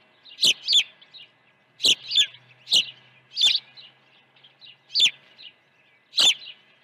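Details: Osprey at a ranch nest during an early feeding, morning of 1 June 2019: loud high whistled chirps, often in pairs, each sharply downslurred, bursts repeated about every second with faint clicks and quiet gaps between.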